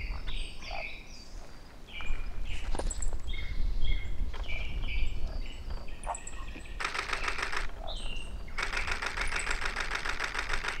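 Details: Eurasian wren at the Ōbora spring by Lake Yamanaka, Japan, recorded 21 April 2019. It gives two rapid, dense trilled bursts late on, amid scattered chirps from other birds over a constant low rumble of running water.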